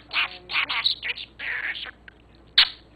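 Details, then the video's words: Pet budgerigar practising a newly learned word, 'fantastic', in a run of scratchy, buzzy, speech-like syllables in quick bursts, a pause, then one sharp final chirp. "Mickey budgie Practicing new word FANTASTIC"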